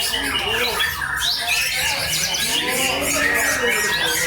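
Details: White-rumped shama, a contest champion, pouring out dense, fast whistled and trilled phrases with rising and falling slurs, nearly unbroken, mixed with other squawking birds and background voices.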